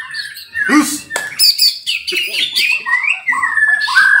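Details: White-rumped shama (murai batu, 'kesra buntok') singing clear whistled notes that slide and rise, mixed with short harsh chips, building into a steady, loud, ringing phrase at the end.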